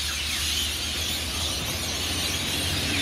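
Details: Hundreds of rainbow lorikeets at Burleigh Heads, Gold Coast, around their pre-sunrise departure from Norfolk Pines: an unbroken shrill, buzzy din of massed screeching with a low background rumble.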